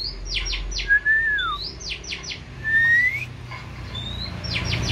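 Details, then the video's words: Oriental magpie-robin raised from young, singing clear whistled phrases: long sliding notes near the middle and rising whistles mixed with quick descending chirp series, short pauses between phrases, low background hum. "Chòe than nuôi từ nhỏ"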